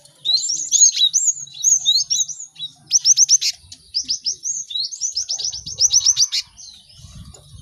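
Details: Busy cinereous tit chorus meant for teaching caged birds quick singing; loud, clean high phrases of fast repeated sharp notes, trilled runs and chirps almost continuously, background nearly silent.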